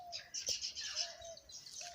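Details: Baya weaver at its nest in Jessore, Bangladesh: a dense, high chattering and buzzy chirping mixed with wing flutter, over a faint steady low tone and background hum.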